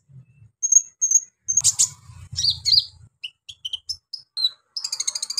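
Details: Brown-throated sunbird (kolibri ninja) in harsh, energetic song used to stir untrained sunbirds: a few clear high whistles, scratchy bursts, scattered sharp chips and twitters, ending in a rapid high trill.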